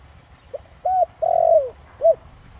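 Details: Thổ Đồng-style coo of a spotted dove, used as a lure for wild birds: a faint short note, an arched coo, a long downward-sliding coo and a final rounded note.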